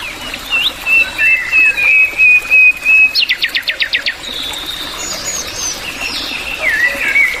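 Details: Adult black-and-white bulbul, known as throat bulbul: a level warbled whistle, then a quick run of about eight sharp descending chirps, followed by slurred whistled phrases.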